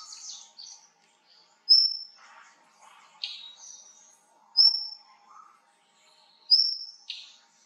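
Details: Indian blue robin, though the bird is also named as Tickell's blue flycatcher, possibly in Sikkim: thin, very high whistled notes, each followed by a short jumbled twitter, repeated every couple of seconds.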